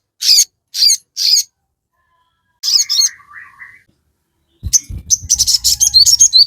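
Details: Crested jay singing steadily as a provoking lure: three harsh high bursts, a softer warbled phrase, then a dense chatter of piercing chirps over a low rumbling background.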